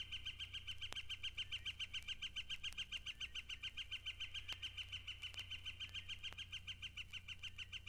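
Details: Yellow-shafted Flicker at Mountain Lake Sanctuary, Lake Wales, Florida, giving a long, steady run of loud, even wick notes, about three or four a second, over a low background hum.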